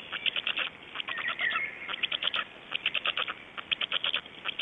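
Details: Black storks recorded in Estonia at 05:15 on 26 May 2012: quick rattling clatter in short pulse bursts, with a brief thin wheezing tone near the middle of the sequence.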